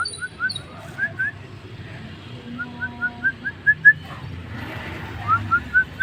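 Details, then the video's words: Starling (jalak) singing as tutor audio: scattered whistled notes building into a quickening series of rising whistles, with a faint steady tone and background hum mixed in. "Masteran hari ini burung jalak gacor"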